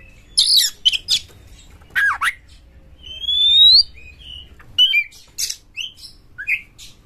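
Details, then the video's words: Champion kacer, the Oriental magpie-robin, in full emotional song with tail spread, meant to goad rival birds: rasping bursts, a long clear rising whistle near the middle, then short scattered chips. "Pancingan Kacer Juara Gacor FullEmosi Buka Ekor KONSLET memancing KACER LAIN"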